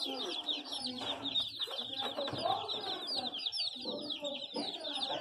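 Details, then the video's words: Many chicks of domestic chicken cheeping without pause, high downslurred notes overlapping, and a low background murmur beneath them. "Ouça o som de pintinhos"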